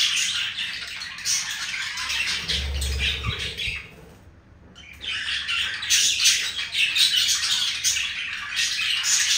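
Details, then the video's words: Pair of budgerigars showing affection, a raspy chirping warble that stops for about a second, then resumes louder, with a low thump and rumble early on. "the budgie showing affection for each other"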